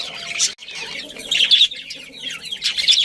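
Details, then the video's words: Budgerigar colony including a breeding pair: warbling chatter with sharp squeaks and short downward-sliding chirps, bursts separated by brief gaps, several voices mixed together. "Cute Budgies Chirping Sounds"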